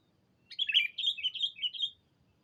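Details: Sooty-headed bulbul calling out a rival: a lively phrase of about five rollicking, bubbling notes, the first loudest, delivered in roughly one and a half seconds, with nothing else clearly audible.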